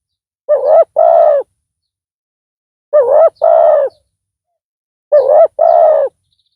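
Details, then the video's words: Spotted dove calling as a decoy to draw in a rival: three evenly spaced double coos, each a short rough note followed by a longer one, about two seconds apart. "Pikat tekukur tapau Bl suara besar"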